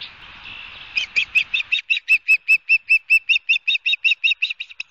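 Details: Osprey at the nest, Barnegat Light, New Jersey, 29 June: after a second of hiss, a rapid, steady series of loud whistled chirps, about two to three per second, continuing without break.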